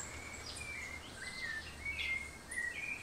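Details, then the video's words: Ecuadorian Thrush singing near Mindo, Ecuador, giving short sliding whistled notes strung together with brief gaps, some phrases dipping then rising; a background wash of insect buzz and distant high bird chirps. "Ecuadorian Thrush"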